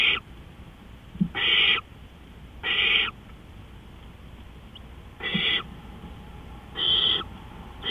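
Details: Owl calling in the night at 3:15 AM, April 20, 2013: five or six rough, hissing screeches, each under half a second, spaced irregularly, with a soft tap between calls.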